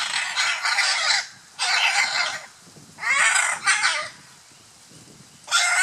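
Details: Scarlet macaws during courtship and mating at Playa Blanca, La Palma, Osa Peninsula, Costa Rica: harsh, raspy squawks in four drawn-out bursts of about a second each, separated by short pauses.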